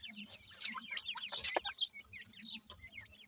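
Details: Grey francolin chicks feeding, giving a rapid series of high, wavering, V-shaped peeps. Noisy scratching bursts crowd the first half.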